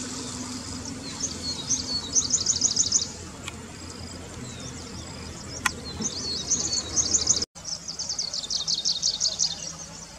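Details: Grey-breasted prinia (Prinia hodgsonii) in roadside scrub gives high, thin bursts of rapid ticking notes, each run lasting a second or two, over a steady low background hum.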